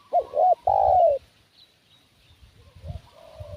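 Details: One loud cooing phrase from a spotted dove used to lure wild doves: two short hooked notes and a long falling coo, followed by faint distant coos and low rustling.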